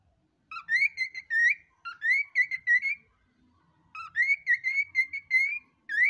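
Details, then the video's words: Cockatiel asking "where's mommy" (Portuguese "Cadê Mamãe"). The high, whistly, speech-like voice comes in two bursts of quick rising and level syllables with a short quiet gap between them, in a small indoor room. "Calopsita perguntando ] Cadê Mamãe"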